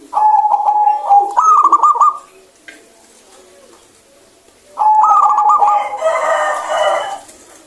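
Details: A local zebra dove in full, clear-toned song, meant to spur birds that rarely sing. Two long phrases, each opening with a steady coo before breaking into rapid bubbling notes, the second mixed with rougher sound.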